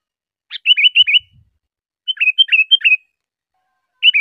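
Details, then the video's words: Sooty-headed bulbul, recorded for cage-bird training, gives short phrases of rapid whistled notes that dip and climb, repeated about every one and a half seconds against silence. "suara burung kutilang || UNTUK ISIAN,mewah dan unik belum ada duanya"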